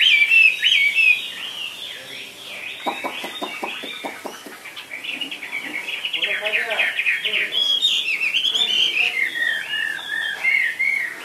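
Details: A Chinese hwamei kept in a carrying cage pours out a long run of high, rolling whistles and warbled phrases, with a short burst of dry clicking partway through.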